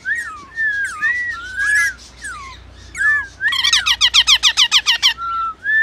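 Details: Rainbow lorikeet singing, a pet bird: a run of slurred whistled notes, rising and falling, then a fast burst of about a dozen harsh, evenly spaced pulses, ending on a short steady whistle.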